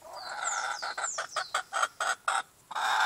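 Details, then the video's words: Appenzeller chickens, a flock kept by their owners, give a run of low clucks overlaid with thin, high, falling peeps, the clucks growing choppy and spaced before a burst of rushing noise at the end. "The noise our appenzeller chickens make"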